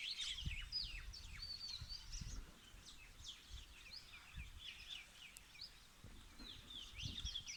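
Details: Several small birds chirp and twitter at once around a mountain village after rain, quick high notes overlapping throughout, over a low rumble of background noise.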